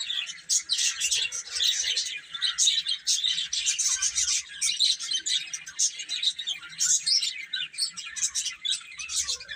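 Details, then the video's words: Baby chickens eating and playing; a sustained bright chorus of piercing peeps from many chicks, with clusters of loud chirps every second or so and no other clear sounds. "Baby Chicken Chirping Sounds"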